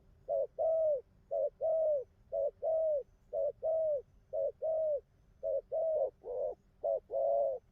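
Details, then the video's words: Wild-caught spotted dove, newly tamed, cooing well: a steady series of mellow low coos, each a short note followed by a longer slurred one, paired phrases repeated about once a second over a quiet low hum. "Thổ tơ bài hay gù tốt"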